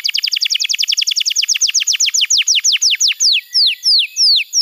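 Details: Canary training song meant to stimulate a quiet young bird to sing: a quick series of sharply descending whistled notes that gradually slows, ending in longer, spaced downward sweeps.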